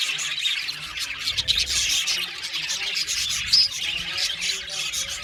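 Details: Budgies chirping in an aviary colony, a continuous chorus of warbles, chirps and rasping squawks, with one clear whistled note cutting through midway.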